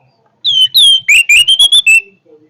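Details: Strong orange-headed thrush song: a falling whistle, a second drawn-out whistle, then a quick string of clear, slightly rising notes ending on a flat whistled tone, all within about two seconds.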